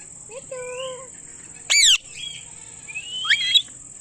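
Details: Indian ringneck parakeet giving loud chirping calls: a sharp, harsh, high screech lasting about a quarter second amid softer whistled, harmonic notes rising and falling, with a steady high electronic whine throughout.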